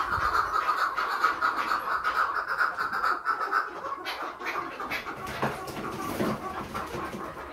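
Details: Chukar partridge among a mixed flock of young and older birds gives a steady run of harsh, clucking chuk notes, about two per second, with faint rustling and a man's voice nearby.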